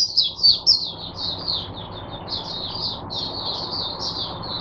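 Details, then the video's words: Oriental white-eye in captivity, serving as a teacher bird for other white-eyes, 22 January 2022; a thin, high warbling stream of quick slurred notes, loudest at the start and then flowing steadily on. "Mata Puteh Diva Sunday buka sing teacher bird for my other mata putehs"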